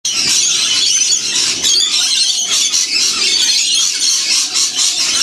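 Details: Wild lorikeet parrots in a huge flock feeding during winter in the Blue Mountains near Sydney, Australia; dense, continuous shrill screeching and squealing chatter from many birds at once, with no pauses.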